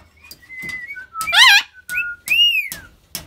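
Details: Rainbow lorikeets dancing with a water bottle in a small indoor room give clear whistled notes, a wavering trill and a loud rising-then-falling whistle, with soft clicks between calls.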